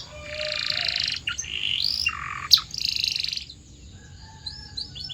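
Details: Canary singing as a training sound for other canaries: long buzzy rolled trills, a rising whistled slur and warbling phrases, ending with a few soft, high chirps.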